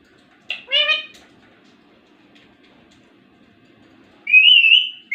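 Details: Ringneck parrot talking: a stacked, speech-like phrase of a few syllables, then silence, then a loud wavering whistle at the end.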